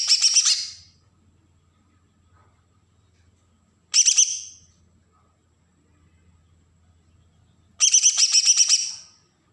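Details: Agitated song of a Bornean green leafbird from Berau, Kalimantan, used to provoke other birds: harsh, dense, chattering bursts of under a second each, repeated roughly every four seconds, with a faint low hum between them.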